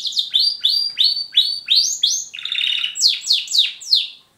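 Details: Male Border canary sings a bright, rapid run of rising chirped notes, about three per second, breaking midway into a buzzy rolled trill; a German Roller canary is audible in the background.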